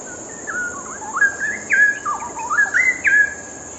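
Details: Straw-headed bulbul delivering a melodious warbling song, a string of liquid whistled notes that step and slide between pitches, several loud accented phrases in under four seconds.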